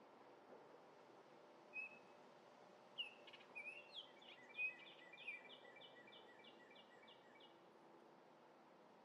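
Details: Orioles feeding on grape jelly in Minnesota, with several clear whistled slurred notes followed by a rapid run of about a dozen short repeated chattering notes, over steady background noise.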